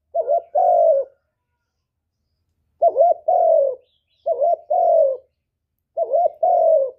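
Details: Cooing of a spotted dove played to make other doves coo in reply: four paired phrases of a quick wavering note and a longer downward-sliding coo, separated by gaps of one to two seconds.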